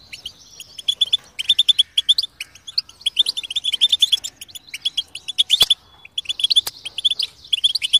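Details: Canary singing a varied, high-pitched song of quick chirps, trills and rattles, with brief pauses and a couple of sharp clicks.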